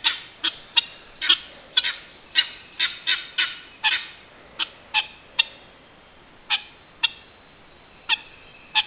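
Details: Guineafowl calling in a rapid series of harsh, grating, broadband notes, some spaced about half a second apart and others bunched in bursts, with a brief pause before the calls resume.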